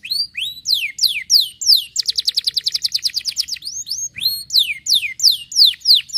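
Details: Stimulating canary song for getting other canaries singing: loud repeated downward-sweeping whistles, then a fast even rolling trill of about twenty notes, followed by more falling whistled sweeps.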